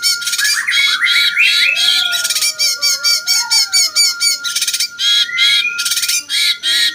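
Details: Cucak cungkok bulbul singing a jenggot-style master song for training champion birds; dense harsh chattering phrases in rapid bursts, some slurred rising notes, a faint lower whistle mid-clip and a steady electronic hum throughout.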